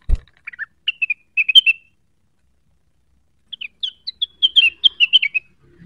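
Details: Cucak wilis, provoked by a lure call and seeking a rival: brief bursts of bright chirping notes, then a faster run of sharp twittering chips after a short silence.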